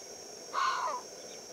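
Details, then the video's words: A Bateleur performing a territorial display in Kgalagadi Transfrontier Park, South Africa, gives a single harsh, barking call, about half a second long and falling slightly at the end, over a steady high hiss. "Bateleur performing territorial display"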